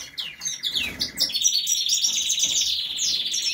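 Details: Seven-month-old goldfinch singing a fast, bright twitter: a buzzy opening, then a run of tinkling, chattering notes sustained at a high pitch without a break to the end.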